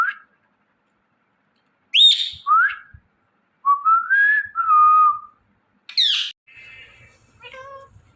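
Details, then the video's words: Indian ringneck parrot producing natural sounds: varied whistled notes, some rising and some level, sharp harmonic chirps, and a few softer, lower warbling tones toward the end. "Ringneck Parrot Chirping And Making Natural Sounds"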